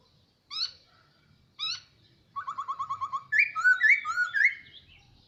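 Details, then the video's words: Hwamei (poksay), a caged bird kept about a year, gives two short whistled notes, then a fast train of repeated even notes breaking into loud looping, warbled whistles. "Poksay noog sab hwj quaj zoo"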